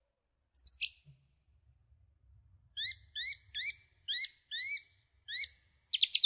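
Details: Song thrush, slightly distant, opening with a high chirp, then repeating a rising upswept note about eight times in a row, with a faint low rumble in the background.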